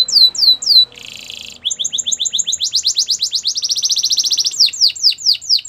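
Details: Belgian canary in its morning song: falling whistled notes, a short buzzy stretch, then a long accelerating rattle-like trill of repeated notes rising in intensity, ending with sweeping down-slurred whistles.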